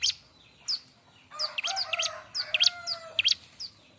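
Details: Noisy Bar-winged prinia song suited for training other birds: high chirps that build into a dense cluster of rapid notes over sustained lower tonal sounds, then fade to single chirps.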